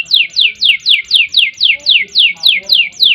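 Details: Canary giving a nembak-style phrase in a long gacor song: a steady, regular series of clear downward-slurred whistles, roughly four per second, each note alike.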